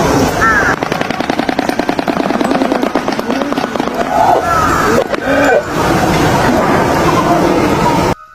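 A shoebill's rapid, hollow bill-clattering rattles like a machine gun for several seconds, over a narrator's voice and faint background music.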